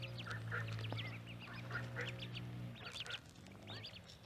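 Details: Pond scene with a duck and ducklings: a busy chorus of high, bent peeping notes and a few muffled quacks, heard fairly faintly over a strong low hum and background noise.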